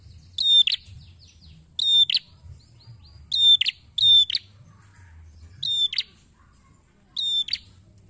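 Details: Prinia, red-headed as described, calling for luring: six bright, high clipped notes each ending in a brief buzzy rattle, two close pairs then spaced singles, faint low hum underneath.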